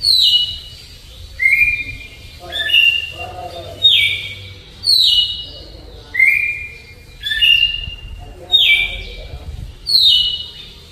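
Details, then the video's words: An unusual Red-cowled Cardinal, said to differ from others, sings a slow, flute-like Alagoas-style song: clear, fluting whistled phrases slurring downward from high to middle pitch, repeated about every second with short pauses between. "GALO DE CAMPINA CANTO FLAUTA ALAGOANO LENTIDÃO"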